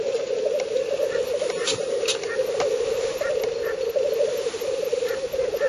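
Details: Several male black grouse at a lek in northern Finland, 30 April 2011, recorded from 50–70 m: an unbroken low bubbling, cooing chorus of courtship rookooing, with an occasional sharp hissing sneeze cutting through.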